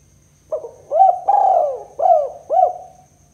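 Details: Spotted dove used as a lure for trapping, Kuk 2 style: soft low coos, a short note then arched and drawn-out falling phrases, repeated in a rolling pattern over about three seconds.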